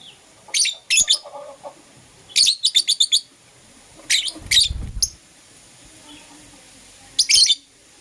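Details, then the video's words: Pet lovebirds, green opaline and lutino, chirping in the morning: quick stuttered series of sharp high chirps, four to six notes each, separated by pauses, with a brief low thump midway. "Lovebird Chirping Sounds"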